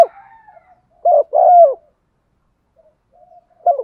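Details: Female spotted dove cooing, played in rain and wind so that male decoy birds will answer: a short gurgling double coo followed by quiet soft notes and the start of another phrase.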